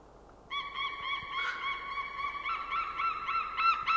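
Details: Unringed white-tailed eagle jumping and calling in the air at its winter feeding ground in Nova, Estonia, on 20 January 2013 at 09:56. A sudden, continuous, quavering yelp with a ringing, harmonic-rich tone begins after half a second and holds steady to the end.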